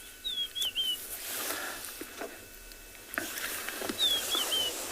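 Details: Wild rufous-naped lark singing on the plains of a South African private game reserve on the morning of 21 October 2020, after rain. Two short, clear whistled phrases, the second answering the first, are heard over a steady rural background rumble.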